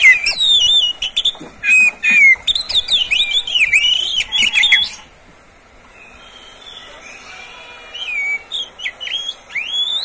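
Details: Kept Oriental magpie-robin song, used as training material to get other magpie-robins singing morning, midday and afternoon. About five seconds of loud, quick whistles and chattering notes, a near-silent pause, then more bright whistled phrases.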